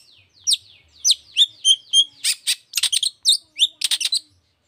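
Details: Long-tailed shrike giving lively 'toet toet' song to stir other shrikes into singing: a quick series of clear, slurred high whistles, then rapid harsh chattering notes, about three per second.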